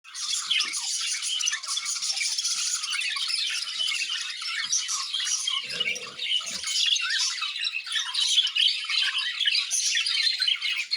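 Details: Budgerigars in an aviary chatter nonstop in a dense, high-pitched stream of squawks, warbles and rattling chirps.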